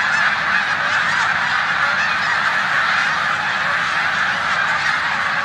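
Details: Wild snow geese massed in a corn field on Olmstead Road, Savannah, New York, 14 March 2020, resting before migrating to the Canadian tundra, with resident Canada geese nearby; an unbroken roar of countless high, yelping honks overlapping continuously.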